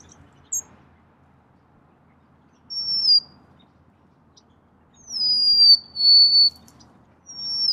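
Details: Golden-crowned sparrow delivering spaced, plaintive high whistles, some short and some drawn out with a gentle downward slide, with long quiet gaps between phrases.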